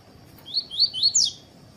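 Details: Coleiro (papa-capim) tui-tui song meant to stimulate other birds to sing: four quick, high, clear whistled slurs, each rising then dropping, the last highest, over a faint steady hum.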